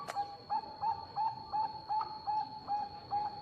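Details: Singing Bangkok-line zebra dove, a lure to provoke replies from other zebra doves: nine crisp, clear coo notes repeated regularly about three per second, each with a slight upturn, against a constant thin high-pitched hum.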